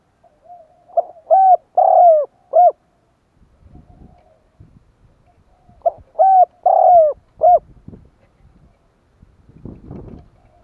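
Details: Spotted dove calling to lure wild doves: two matching cooing phrases several seconds apart, each a short note followed by deep, mellow, slightly falling coos, with a faint rustle between phrases.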